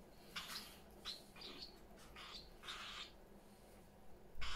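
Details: Parrots kept in a house give harsh, raspy squawks in separate bursts about every second, with some thin whistled notes among them.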